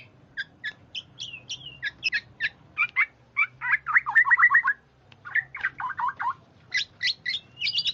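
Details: Oriole calls used as a lure recording for trapping birds: bursts of short chattering notes, then a run of rapid descending slurred notes and higher whistled chips.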